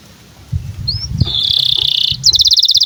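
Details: Canary in breeding condition singing for young birds to copy; after a noisy, quiet start comes a thin rising whistle, a sustained buzzy trill, then a crisp rapid rattle of high notes.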